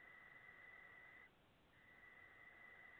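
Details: Five late-hatched Barn owl (Tyto alba) chicks, 14 August 2017, give long, harsh hissing rasps, one over a second long, then a brief pause before another starts.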